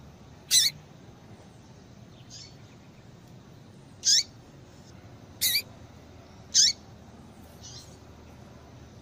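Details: Repeated calls of a female yellow-bellied seedeater used to stimulate males; five sharp high chirps at uneven intervals of one to two seconds, interspersed with fainter softer notes, over steady low hiss.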